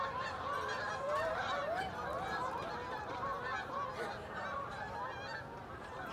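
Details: Geese flying over Oakland in V formation, honking as they pass; many overlapping nasal honks, rapid and continuous, layered voices over a steady wash of background noise.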